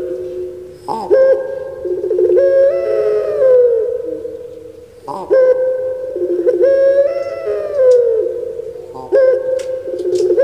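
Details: Kept puter pelung turtle dove from Java, Indonesia, calling kuk gerukkk kwokkk three times at about four-second spacing; each call is a short rough note followed by a long, low, sustained quavering coo.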